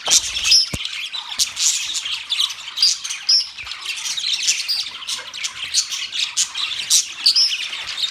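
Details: Chattering budgies produce a busy stream of high, scratchy chirps and squawks with occasional sharp whistled squeaks, overlapping calls suggesting a group of birds.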